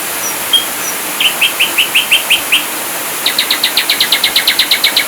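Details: Singing ashy drongo from a masteran tutor recording in 'full tembakan' style: a lone whistle, a run of eight bright, evenly repeated notes, then a faster, denser rattle of about fifteen buzzy pulses.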